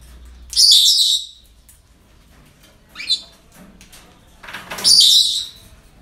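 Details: Parrots at a breeding centre giving three harsh, high-pitched squawks spread over several seconds, the middle one short and thin, the first and last loud and raspy.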